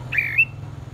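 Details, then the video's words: During a morning singing contest, a red-whiskered bulbul gives a single short whistled phrase that dips and then rises to a bright upslurred ending. A faint low hum sits underneath. "chào mào hót đấu"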